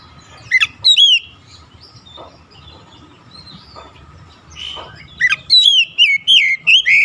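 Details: Oriental magpie-robin singing fast, warbled whistles: a brief burst at the start, a soft interlude of quieter notes, then a run of loud, rising and falling slurred phrases.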